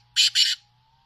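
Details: Black francolin of the Sindhi type, a kept bird: two loud, harsh, broadband notes in quick succession, the second longer, in a quiet setting with a steady low hum.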